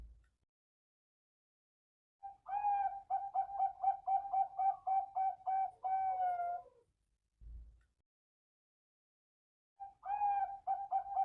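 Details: Male zebra dove from a farm breeding Bangkok-line birds in Bantul: a rapid string of about fifteen short, clipped coos on one steady pitch, ending in a drawn-out note, then a pause and the run beginning again.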